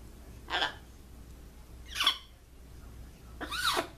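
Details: A macaw with a blocked nose gives three short, harsh nasal squawks about a second and a half apart, the last longer and wavering, over a quiet indoor hum.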